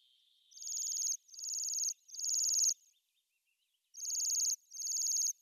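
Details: Bohemian waxwing calling: five high, buzzy, sibilant trills, each lasting about half a second, three in quick succession, then a pause and two more, with no other sounds.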